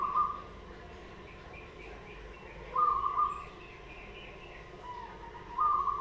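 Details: Wild local zebra dove cooing: a short, soft, level cooing phrase repeats about every 2.7 seconds, with faint higher chirps from other birds and a low steady background hum.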